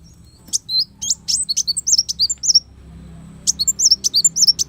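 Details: Kolibri wulung sunbird singing as master material for songbird training: two bursts of rapid, high, sharp twittering, each about a dozen slurred chirps, split by a short pause. Soft low hum in the background.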